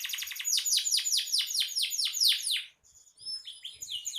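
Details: Canary in gacor song, used as master song for songbirds; fast run of loud downward-sweeping trill notes, a brief gap, then thin high whistles and soft chattering notes.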